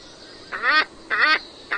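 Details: Scarlet ibis giving two nasal, honking calls with a rich stack of harmonics, each about a quarter second long and rising slightly, then the start of a third. The background is quiet.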